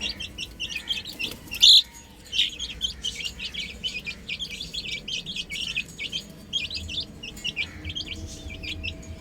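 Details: Baby chickens on a roof chirp continuously, many shrill down-slurred peeps overlapping into a busy chatter, with one louder sharp note early on and a faint low hum underneath.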